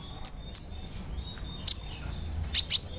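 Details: Brown-throated sunbird, a large-bodied, actively singing bird, used as a provoking lure for other sunbirds. Isolated, very high, sharp chirps and slurred notes come in pairs, separated by short silences.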